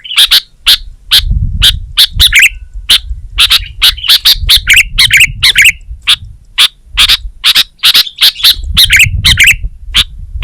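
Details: Sooty-headed bulbul singing actively, giving quick bright chips in an uneven rhythm mixed with repeated warbling phrases, over soft low background rumble.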